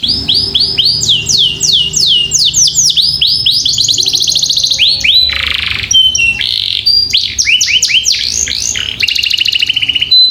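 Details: Varied canary song used to train young birds: bursts of quick sweeps, fast trills and buzzy rattles over a soft low hum, phrases shifting every second or two.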